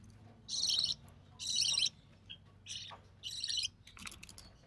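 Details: Young recessive pied budgerigar, born early June 2020 and the only one of three chicks to survive, calling while its albino red-eye mother feeds it: four rough, wheezy rasping bursts, the first two longest, then a soft scratchy flutter.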